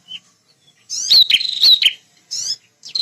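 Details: Loud, persistent male bar-winged prinia defending its territory: one long buzzy phrase built from sharp ticks and a thin wavering whistle, then a short rasping burst and a brief start of another.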